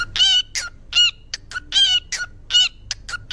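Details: A pet parrot in a domestic setting gives loud, raspy squawks alternating with short higher chips, about six outbursts in a few seconds, with a faint hum underneath.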